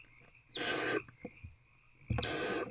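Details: Older owlet in nest box C at 1:48 am swallowing a large piece of prey; two rasping, breathy hisses of about half a second each, with a soft knock between and a thin steady whine behind.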